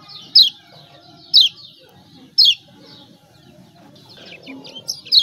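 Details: Lemon-bellied white-eye from Lombok, lure recording for reluctant singers: three sharp high descending chips about a second apart, then a faint twittering start, with quiet background noise.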